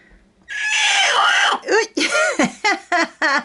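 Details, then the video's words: Domestic hen settling to lay an egg in a feed sack indoors, reacting to a nearby person: a long raspy screech, then a run of short, loud, downward-bending squawks roughly every third of a second. "Pet Hen Picolina making funny sounds"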